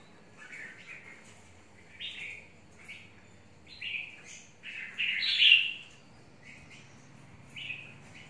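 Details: Red-whiskered bulbul, a long-caged bird described as highly combative, singing scattered short chirpy warbles that build into a louder burst midway, with a man speaking nearby.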